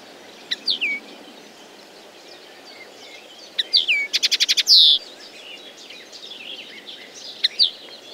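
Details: Sparse common linnet song: isolated downslurred chirps, a quick clicking trill leading into a buzzy sustained note, and later a pair of sharp twitters, with quiet pauses between.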